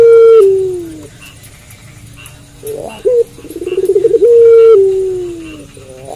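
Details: Puter pelung dove cooing at night: a long sustained low tone falling away, a quiet pause, then a short note, a quick rolling pulse series and another long, slowly descending coo.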